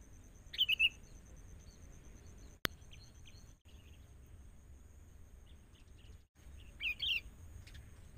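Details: Wild sooty-headed bulbul in training, with a decoy bird brought out because local birds will not come near: two bursts of quick falling chirps at start and end, separated by clicks and brief dropouts.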